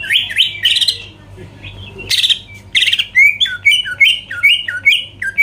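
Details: Provocation song of a greater green leafbird aimed at rival birds: harsh buzzy notes, a pause, then a rhythmic string of down-and-up whistled slurs repeated steadily.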